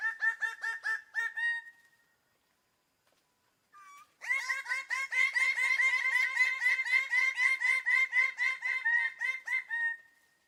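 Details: Bird of paradise calling in fast runs of nasal, harmonic notes, about four per second. A short burst is followed by a pause with a brief upslurred note, then a long steady stream of repeated notes that fades at the end.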